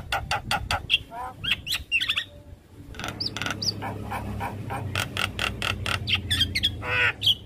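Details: Javan myna tutor recording full of varied notes: clustered harsh clicks and rattles, short whistled notes and squawks, dense and irregular over low rumble.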